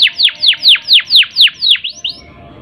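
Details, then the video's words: Canary song to rouse birds lacking breeding urge: eight loud, evenly spaced downward-sweeping notes about every quarter second, closing with two short rising notes. "Kenari Gacor Ngerol Panjang Untuk Pancingan Kenari Yang Kurang Emosi Dan Birahi, Canary Bird"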